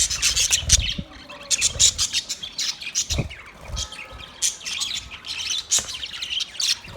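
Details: Dense budgie chatter, continuous high twittering and scratchy warbles with occasional sharp clicks and low thumps, busy and overlapping throughout.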